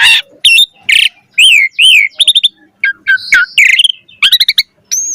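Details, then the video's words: Asian pied starling (jalak suren) in lively puffed-up song full of variety: loud harsh bursts, paired wavering whistles, quick clicking runs and scratchy notes, ending on a sustained high thin whistle. "Jalak Suren Gacor Mompa Full Variasi Ocehan"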